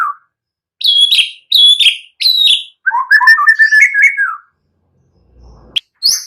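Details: Energetic white-rumped shama song used to lure other birds into song: three clear, high, descending whistles followed by a busy, lower, chattering warble, then a short silence and a high sharp note.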